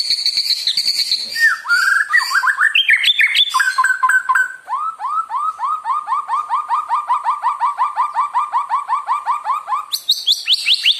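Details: Murai batu (white-rumped shama) song played to provoke other birds into singing: varied opening phrases, then a long rapid series of identical rising upslurred notes, about eighty a minute, ending in a high whistled flourish.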